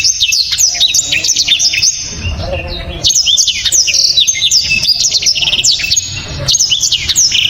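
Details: Black-throated Canary (blacktrod) singing sharp, close-packed phrases: three bursts of high, rapid whistled slurs and chattering trills, each about two to three seconds long, divided by short lulls with faint low background noise.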